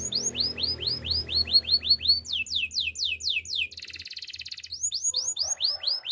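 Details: A canary, identified as a Belgian canary though its song is described as Spanish Timbrado training song, sings fast series of high, down-slurred whistled notes that switch to a brief metallic rattling trill, then go back to whistles.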